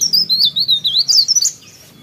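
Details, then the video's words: A sooty-headed bulbul sings a brisk burst of high, slurred chirps, about a dozen tumbling notes in a second and a half before stopping. "PARE PARE GACOR"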